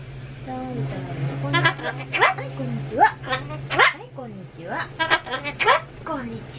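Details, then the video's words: Pet Solomons cockatoo repeatedly shouting a word while renovation work goes on, producing clusters of harmonic, voice-like syllables with swooping pitch in rhythmic bursts, over a low constant hum. "工事の音に対抗して連呼したお喋りは…？ The words cockatoo repeated against the sound of renovations were…"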